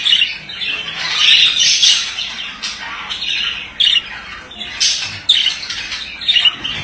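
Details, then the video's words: Male budgerigar chattering: a rambling string of raspy squeaks and chirps, with several sharp, loud high notes cutting in at intervals. "Erkek muhabbet kuşu sesi"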